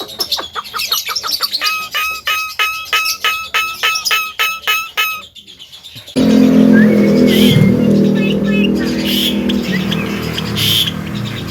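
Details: Javan myna mimicking sounds, said to cough, laugh and imitate a guitar: a rapid, evenly spaced run of ringing, harmonic plucked-sounding notes for about five seconds, then a loud broad noisy rush with scattered chatter.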